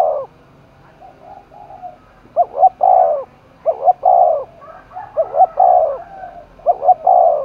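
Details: Spotted dove in Đồng Nai, Vietnam, cooing while roused for contest. Four loud phrases, each two quick low notes and then a long mellow coo. Softer, fainter coos fill the gaps between them.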